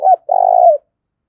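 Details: Spotted dove giving an energetic call meant to spur fighting, used as a decoy: one short low note followed by a long, steady, buzzy coo that drops slightly at the end; nothing else heard.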